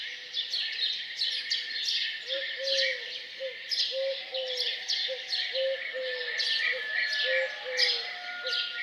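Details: Birds singing morning songs around a farmhouse: a dense chorus of bright, rapid chirps and trills, with a low, repeated hooting coo running beneath in short pulses about twice a second.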